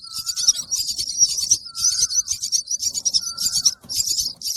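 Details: Chick chirping for food: high, rasping chirp bursts in quick succession, with a soft lower whistle recurring in the background.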